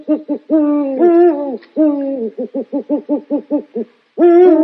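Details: Owl hooting in a rapid series of short, wavering, mid-pitched hoots with rich overtones: a few longer slurred notes, then about eight quick even notes, ending with another drawn-out hoot after a brief pause.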